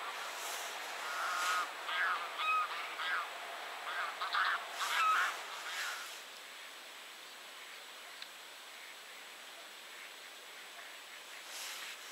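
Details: Eurasian wigeon at 51.754218, 20.218874: clear whistled notes mixed with softer murmuring calls in bursts over the first six seconds, then mostly quiet against a steady background hiss.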